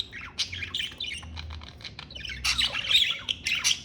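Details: Pet budgerigar warbling in a busy, scratchy run of squeaks, chirps and buzzy chatter, louder and denser in the second half.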